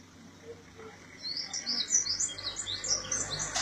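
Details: Bird singing in the early morning at a residence area around Gondar, Ethiopia, in 2017, heard from a balcony; faint high thin chirps and twittering notes, growing louder and quicker in the second half over a soft background hum.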